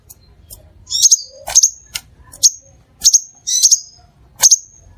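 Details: Crimson sunbird song played as a lure for other sunbirds: piercing high double chips at irregular intervals of about half a second to a second, with one low soft note early on and a faint hum underneath.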